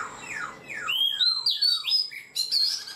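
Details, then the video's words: Caged black-throated laughingthrush, kept four months, delivering several quick downslurred whistles followed by rising, higher-pitched whistled notes in a lively burst. "Khướu bạc má 4 tháng lồng, người rài giọng cực hay"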